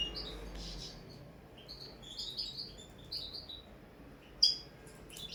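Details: Cage-kept common linnet in early table-song training, giving soft scattered twittering notes and brief trills with pauses, one sudden sharp chirp near the end.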